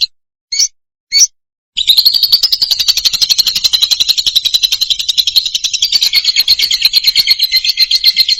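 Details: Lovebird song recorded loud: three short separate chirps, then from about two seconds a continuous, rapid, high-pitched chattering trill of dense twittering notes that runs without pause to the end.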